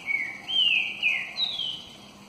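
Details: Green-winged saltator, described as a true trinca-ferro, singing a run of clear whistled phrases that slur downward and step up in pitch, about four connected notes over two seconds, with faint steady background hiss.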